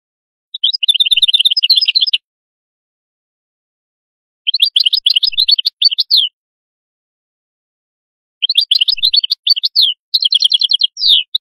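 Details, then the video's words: Atlantic canary delivering three rapid rolling trill phrases, each about one and a half seconds of quickly repeated bright notes separated by pauses, the last phrase running into a second trill. "تغريد القادوس لاكونكورد"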